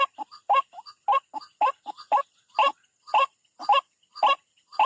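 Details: Hoarse, clipped croaking notes with soft squeaks between them, from a white-breasted waterhen attacking its rival at a bird trap, repeated at a brisk, slightly irregular pace.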